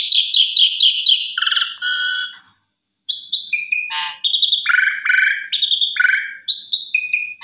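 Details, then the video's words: Asian pied starling song, rapid repeated chirps at the start, buzzy notes, a short gap, then a steady series of whistled and rattling phrases. "Suara Jalak Suren BERDAYU DAYU Seketika Langsung Respon Jalak Suren Macet Berkicau"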